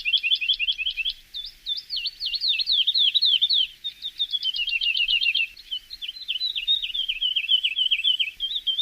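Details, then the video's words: Javan bush lark tutor song for cage birds: long continuous run of quick looping, up-and-down whistled notes, repeated rapidly, slowly sliding lower in pitch, over faint background hiss. "Masteran Branjangan!!"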